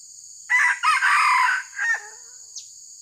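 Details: Red junglefowl crowing while wild junglefowl are lured in a trapping session: one harsh, broken crow lasting about one and a half seconds, with a short falling tail, over a steady high insect whine.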